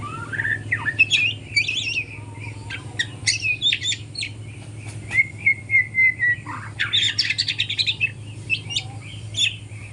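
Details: Young speckled white-rumped shama learning to sing in the morning: a rambling mix of sharp chirps, short whistles and buzzy notes, with one sustained whistle midway and quick bursts of notes, over a steady low hum.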